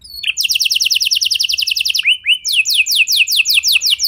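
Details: Canary song played to prompt other canaries to sing: rapid trills of repeated descending whistled notes, about five per second, broken by a few slurred rising notes before a second fast trill.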